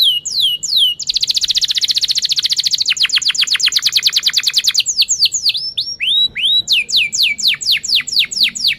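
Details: Lively canary chirps and sharp rolls, used to tutor young canaries and stalled singers: swooping downslurs, a loud dense buzzy trill, a fast run of repeated notes, then scattered rising and falling whistled chirps.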